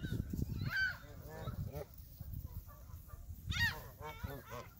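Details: Several Canada geese at Hawreluk Park Lake give sharp nasal honks, one strong burst early and another near the end, softer calls between, low rumble underneath.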